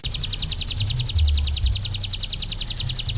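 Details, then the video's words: Ciblek gunung song used as a vocal tutor: a fast, even trill of high, sharply falling notes, about eight per second, steady throughout. Low rumbling noise underneath. "SUARA BURUNG CIBLEK GUNUNG"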